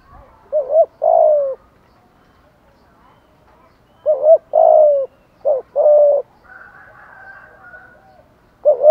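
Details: Spotted dove used as a decoy, calling to provoke and attract other doves: low two-part cooing phrases, a short rising double note then a longer falling coo, repeated three times with pauses, plus a faint higher murmur near the end.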